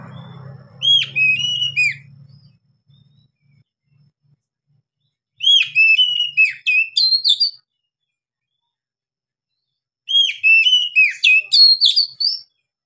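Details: Oriental magpie-robin, called kacer, singing gacor ngeplong with long breath: three separate two-second bursts of rapid, varied whistled notes with rising and falling slurs, spaced by pauses. A low hum sounds at the start.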